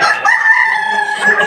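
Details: Kukuak Balenggek rooster competing in the Boko class final, the top class of a 2025 crowing contest in Sawahlunto, West Sumatra; a breed known for tiered crows of at least five steps. Sustained harmonic crow, steady and slightly wavering, with crowd noise faintly behind.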